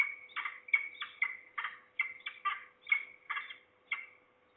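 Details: At Trzebież, Poland, on 2 September 2019 in the afternoon, one of at least two falcons, the closer bird below, possibly a young bird or a parent, gives a steady run of harsh, nasal, chattering notes, about two per second.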